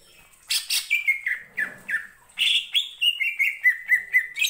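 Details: Greater green leafbird (cucak ijo) in vigorous song used to provoke other birds to sing: harsh bursts, then fast rhythmic whistled notes gradually descending in pitch, about four per second.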